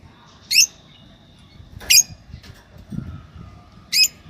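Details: A yellow pair of Fischer's lovebirds gives three sharp, shrill chirps spaced about one to two seconds apart, each short and high, over a soft low room hum.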